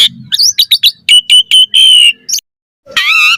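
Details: Varied Asian pied starling song played to lure other starlings: quick run of sharp chirps and clear whistled notes, a long level whistle, a short pause, then a harsh grating burst.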